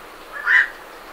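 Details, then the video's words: A single short, rough croak from a night heron as birds leave the roost, recorded medium-close with great reed warblers in the background. "Night Heron Calls / Night Heron. Calls MCU From Birds Leaving Roost"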